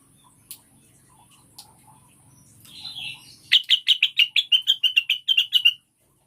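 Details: Cucak wilis or rengganis (Blue-winged Leafbird), a lure recording for getting caged birds to sing readily. Faint soft notes lead into a fast series of about fifteen sharp, bright chirps on a steady high pitch, then silence.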